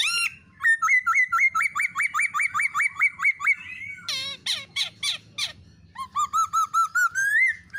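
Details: Black-throated laughingthrush pair, female with male, calling to prompt other birds to sing: a rapid, even series of about sixteen sharp repeated notes, then harsh chattering bursts, ending in rising whistled phrases over a faint low hum.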